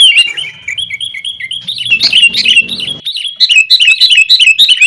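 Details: Lure song of sooty-headed bulbul to make caged birds sing; a few clear falling notes, a loud jumbled burst, then quick repeated chirps in a steady run.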